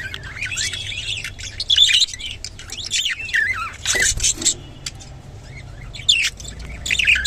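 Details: Rainbow budgerigar mixing whistled rising-and-falling notes with scratchy chirps and one loud burst midway, against a faint hum.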